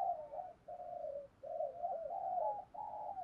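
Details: Spotted dove cooing, a recording used to stir up and train decoy birds for luring. Soft, low, mellow coos run in a steady string of phrases, each lasting about half a second, with short pauses between them.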